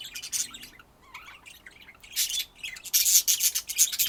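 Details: Budgerigar warbling in raspy, scratchy bursts with thin chirps, building to a loud, continuous grating chatter near the end.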